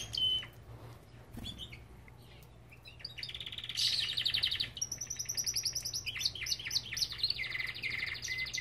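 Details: Song of a Belgian canary kept in an aviary. A brief note and near quiet come first, then a loud rolling trill bursts in, followed by high rattling notes and bright whistled phrases, with a low background hum.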